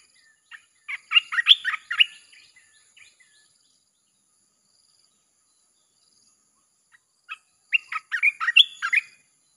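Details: Red-whiskered bulbul, chopping song used to lure wild birds in: two dense bursts of quick, rich, slurred whistles about six seconds apart, a few isolated chirps between.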